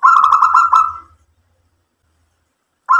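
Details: A local zebra dove sings a roughly one-second rolling phrase of fast pulsed coos over a faint low rumble, then a pause, and another phrase begins just as it ends; the bird is cooing to draw other doves into answering.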